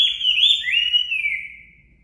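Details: A Chinese hwamei, recorded as a natural-voice training song, gives one loud, warbling whistled phrase that wavers high and then slides gently downward, fading after nearly two seconds.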